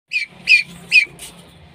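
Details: Female common pheasant calling: three short, harsh squawking notes with a falling tone, followed by a fainter fourth note, over a quiet background.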